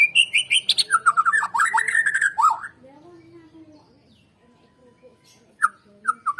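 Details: White-rumped shama singing, used to prompt other birds into song: a dense, rapid stream of high notes and jerky whistled trills, then quieter soft sounds and a few final whistles.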